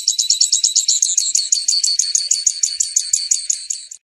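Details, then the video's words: High-pitched trilled song of a grassland yellow-finch, known in Brazil as canário tipio or canário da horta: quick, evenly spaced buzzy notes that slow slightly toward the end. "Canto do Canário Tipio - canário da Horta"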